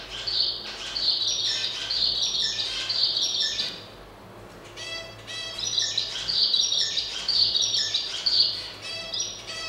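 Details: Zebra finch pair during courtship and mounting: a male's song of nasal, buzzy notes and rapid clicking stacks, two bouts separated by a short pause, repeated motif of harsh tones over a low background hum.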